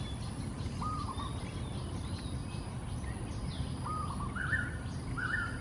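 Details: A flock of wild golden-backed weavers calling raucously as they build nests in the early morning over a pond in Singapore: short chattering notes early, then a denser run near the end, with low background rumble.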